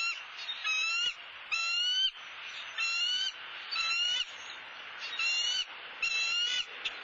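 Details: Bald eagle at a Southwest Florida nest, where the male brought a soft-shelled turtle for his mate, giving high, thin, squeaky chittering notes in short bursts roughly once a second, over a soft background hiss.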